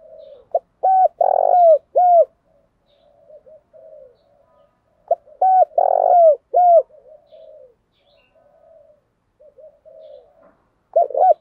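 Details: Spotted dove used as a decoy bird to provoke fighting: loud, mellow, low cooing phrases of several quick notes ending in a long drawn coo, given twice about four seconds apart, with soft murmured coos between and another phrase starting at the end.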